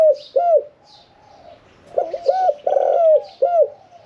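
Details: Medium-voiced caged Spotted Dove, 'khan yon 1 kuk' cooing style, kept for 1 year 4 months. Two short coos, a pause, then a loud rolled coo phrase with a long held note and a final coo. Faint chirps are heard.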